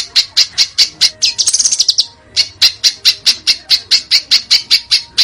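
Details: Contest-bird masteran from Indonesia with sharp 'shots': spaced, punchy, harsh chips about three per second, interrupted by a brief, higher, buzzy trill, then continuing evenly.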